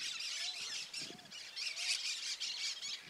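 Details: Cactus parakeet heard wild in the Bahia Caatinga, Brazil, giving a steady stream of fairly distant, harsh, hissing screeches in quick succession, with a few soft, low, slurred notes beneath.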